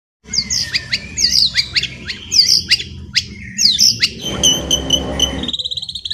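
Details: White-rumped shama in ngeriwik style, used as a lure to get birds singing freely: varied high whistles, sharp upslurred notes and buzzy phrases, ending in a fast repeated chatter.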